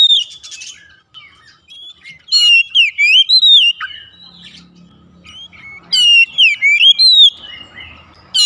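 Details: Household oriental magpie-robin song used as therapy to make a silent bird sing: two bright bursts of rising and falling whistles with stacked high chips, soft quieter passages before and between them.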